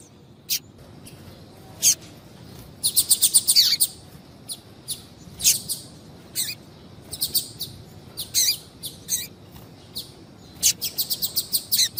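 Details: Female Double-collared Seedeater calling often to excite a male into singing: sharp high chirps, some single and some in quick rattling bursts of five to eight, scattered irregularly, with a steady low hiss behind.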